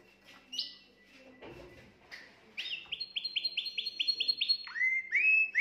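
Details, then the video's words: Canary singing to stimulate a female: a few scattered chirps, then a fast run of about ten identical rising whistled notes, followed by a lower swooping phrase and clear upward-sliding whistles. "Exciter votre femelle de canari"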